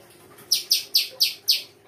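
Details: Songbird singing: five loud, sharp, high chirps in quick even succession, each falling slightly, about four per second, against a quiet background.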